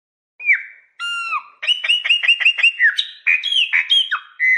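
A chopi blackbird sings a rich, varied phrase: clear slurred whistles, then a quick run of sharp repeated chips, ending in rising and falling fluty notes.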